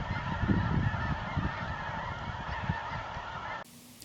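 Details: Snow geese in flocks wheeling round and round at nightfall, seeking a place to settle in their New Mexico desert winter quarters in November, where sandhill cranes also gather; a dense, continuous chorus of overlapping low honks that cuts off abruptly near the end.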